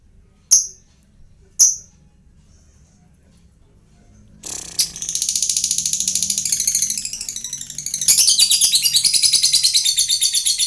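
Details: Lovebird singing to prompt other lovebirds to respond. After two sharp clicks and near silence, a dense, high, buzzy chatter begins midway and grows louder, made of rapid pulses repeated several times a second.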